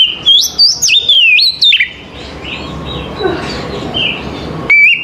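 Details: Morning song of an Oriental magpie-robin, played to get other magpie-robins to reply and sing: a rich two-second burst of bright, slurred whistles rising and falling, then a quieter stretch with faint distant notes and one final rising whistle.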